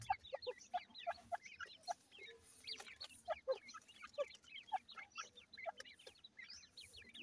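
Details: Female grey francolin with chicks rummaging for food: clear high chirps with sharp downward-swooping notes at a quick uneven pace, over a quiet background.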